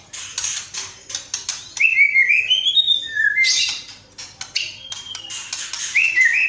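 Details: White-rumped shama, a kept songbird in full song, loud clear whistled phrases sliding up and down, interspersed with sharp ticking notes.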